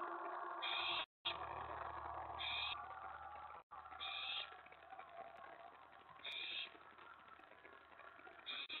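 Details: Nest owl during mouse and rat deliveries after 1 AM, 24 May 2017. Five short screechy hisses at irregular spacing over a low rumbling hum, with two brief dropouts in the sound.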